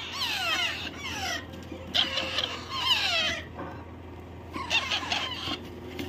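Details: A white and yellow ring parrot chick, kept as a pet, squealing in raspy, falling notes in several bursts with short gaps between them, over a low indoor hum.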